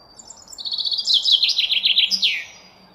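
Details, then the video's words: Common chaffinch song: a bright, quick series of repeated notes that starts thin and high, tumbles steadily lower in pitch, and closes with a short flourish, all within about two seconds; a faint low hum lies underneath. "Common chaffinch song"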